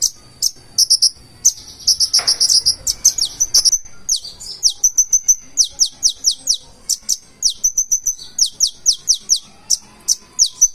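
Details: High-pitched song of a Purple-throated sunbird, called konin, performing 'full isian': an opening of quick rattling trills, then a long steady series of sharp downslurred chips repeated several times per second.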